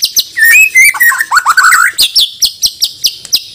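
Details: White-rumped shama from Banjar, Borneo, a caged contest bird, singing rich varied phrases: sweeping whistled notes and rapid warbled runs, followed by a regular train of sharp high chips about five per second.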